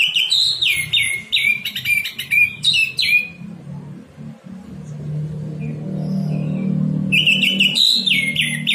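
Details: An orange-headed thrush delivers morning 'ngeplong' song meant to coax silent caged birds into singing: rapid strings of strong, clear whistles dropping in pitch, a pause filled by low humming background noise, then another energetic run of phrases.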